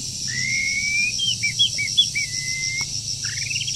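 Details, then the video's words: Wild forest bird in moult during the breeding season, giving a long thin whistled note followed by short clipped whistles and a rising run of quick notes, over a steady high insect drone. "Chim Rừng Đang Thay Lông Mà Chíên Quá • Dợt Chim Mùa Sinh Sản"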